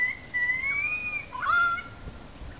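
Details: Loud currawong calls from a gully above the wetlands in Sydney Park, St Peters, Sydney: a long, slowly rising whistle, then a short bright note sliding down into a level whistled tone.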